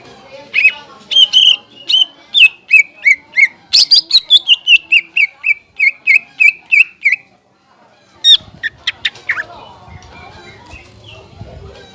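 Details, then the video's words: Greater green leafbird singing, meant to stir other leafbirds and teach young birds. Rapid chirps slide through a descending run, a pause follows, then a few sharp notes among faint background rustling. "PANCINGAN SUARA CUCAK IJO BUAT MASTERAN DAN CUCAK IJO BAHAN"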